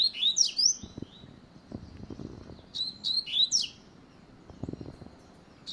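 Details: Rapid, bright song of a double-collared seedeater: tight clusters of high, sliding chirps in short bursts separated by gaps, over soft background rumble and occasional knocks.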